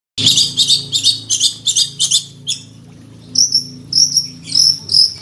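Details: Fighting long-tailed shrike, singing actively with full mimicry of tutor songs while seeking a rival: harsh buzzy high chatters repeated about three times a second, a pause, then sharp whistled high notes, over a steady low hum.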